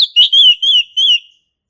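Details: Short phrase from a male orange-headed thrush in ngeplong style: four clear, ringing whistled notes in quick succession, each gently rising then falling, fading at the end.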